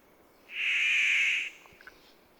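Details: Paradise Riflebird gives one loud, harsh, drawn-out raspy call about a second long, then a few faint brief notes in quiet ancient rainforest at Lamington National Park, Queensland, Australia.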